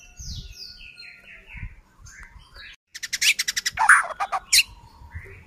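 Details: White-rumped shama singing to provoke a rival: soft warbled phrases and faint low thumps at first, then a sudden loud dry rattle and a harsh squawky note.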